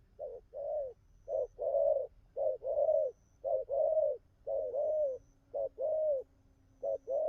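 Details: Wild-caught spotted dove cooing vigorously, a run of short-long coo pairs roughly a second apart, with a faint steady low tone in the background during the latter half.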